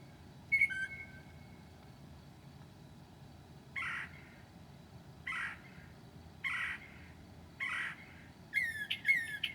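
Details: Mockingbird mimicry at 2:00 a.m. on 7/9/2008: one clear whistled note, then a series of harsh, squawky notes roughly a second apart, ending in a quick cluster of thin, high whistles.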